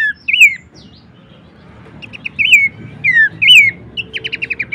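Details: Horsfield's babbler song meant for tutoring and luring songbirds: loud looping downslurred whistles in pairs, separated by a quiet gap, ending in a rapid series of short ticking notes.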